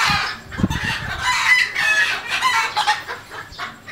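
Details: Red junglefowl rooster giving loud, harsh, harmonic-rich calls broken into several rough pulses over four seconds, with low thumping sounds near the start.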